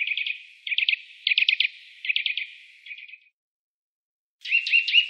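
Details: Eurasian nuthatch producing clusters of three to five rapid clipped notes, repeated several times, then a pause and a final burst of quick rising notes.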